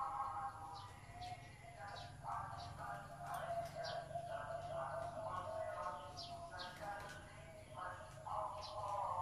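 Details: Big-voiced zebra dove song: a repeated pattern of rich, buzzy, rolling coo phrases, each about half a second long, coming steadily over nine seconds. Thin, sharp chirps from other birds rise above it.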